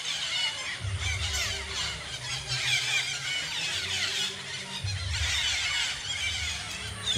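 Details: A tree full of wild parakeets at the Garo Para natural bird haven keeps up an unbroken wash of piercing, high-pitched squeals and chirps, over intermittent low rumbling noise.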